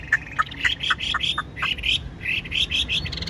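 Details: Chinese hwamei, a caged bird described as 95% tame with a spread tail, singing a series of clear, rising whistled notes, short chirps repeated rapidly, building into a continuous run of bright phrases.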